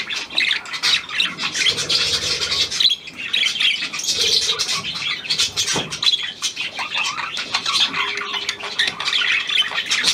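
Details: Hand-tame Australian pied budgerigar, newly acquired, recorded 17 February 2023: dense, scratchy warbling chatter with rapid clicks and squawks, continuous through the clip, with a faint low hum underneath.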